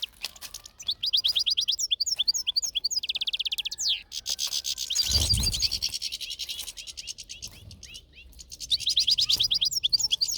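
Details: European goldfinch singing in nature: bursts of rapid, high twittering and buzzy trilled notes, a brief rushing noise near the middle, then the lively twitter resumes.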